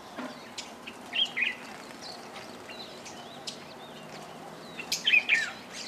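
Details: Fischer's lovebirds, many of them hybrids with yellow-collared lovebirds, gathered at a feeder beside Lake Elementaita in Kenya. Two clusters of shrill, squeaky chirps stand out near the start and near the end, with fainter twitters between.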